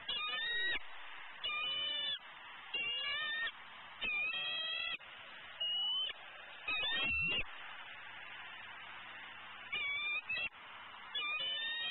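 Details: Hungry, impatient female eagle in Southwest Florida calling steadily in late morning as her mate de-furs prey in a pond tree: bright, ringing harmonic calls in short bursts, irregularly spaced with pauses, over faint background noise.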